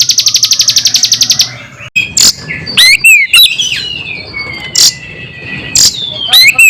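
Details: Bar-winged prinia song spliced with Oriental magpie-robin song, used to provoke other birds: a fast series of sharp high ticks, about four per second, for over a second, then varied whistled and sweeping notes over faint background hiss.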